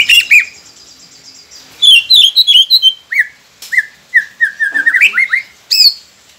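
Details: Varied white-rumped shama song used to stimulate quiet caged shamas: sharp high notes, a chattering burst, then a series of clear mid-pitched whistles rising and falling, ending in a high note.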